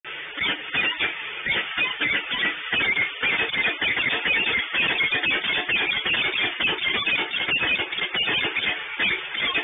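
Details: Busy strummed guitar music plays throughout with a steady driving rhythm, cut off in the upper range.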